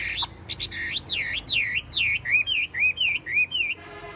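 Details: Tame hwamei singing in its cage: a series of loud bowl-shaped whistles, each swooping down then up, repeated roughly four times a second, ending in a quieter buzzy note.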